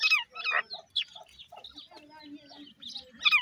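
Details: Grey francolin chicks fighting, India; quick bursts of high, squeaky, harsh chirps, loudest at the start and end, with fainter thin peeps and a low drawn note in between.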